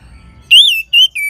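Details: Orange-headed thrush song used to prompt singing in other birds: three loud, clear whistled notes, the first long and gently arching, the others shorter and level.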